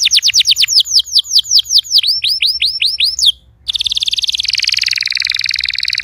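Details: Canary song to start a silent canary singing: a series of quick downslurred whistles slowing into longer swooping notes, a short pause, then a dense rolling buzzy trill that falls slightly.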